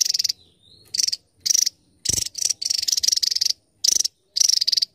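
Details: Tiny Javan tesia giving a sharp, high-pitched song of clipped buzzy trill bursts, about eight phrases in five seconds, with brief gaps and one faint thin slurred note between them.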